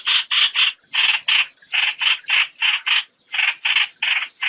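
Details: Trao trảo bird gathering its flock, a sound used for net trapping: coarse, scratchy notes delivered in short bursts of two to four, separated by brief silences.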